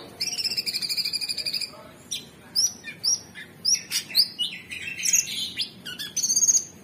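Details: Orange-bellied Leafbird (cucak cungkok) singing energetically: a long rattling series of rapid high repeated notes, then separate sharp whistled notes, rising slurs and a final quick high trill.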